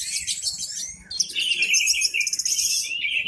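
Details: Orange-headed thrush singing loudly and intently with its tail spread, used to lure other birds into song: a dense, fast stream of high, varied chirps and whistled trills, with a short pause near one second before the phrases resume.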